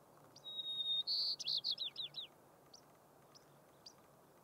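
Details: White-crowned sparrow (Zonotrichia leucophrys) singing high on alpine tundra atop a mountain in Rocky Mountain National Park, 6-10-2022: a long, clear high whistle, then a brighter note and a quick series of buzzy, falling slurs, a few faint chips after.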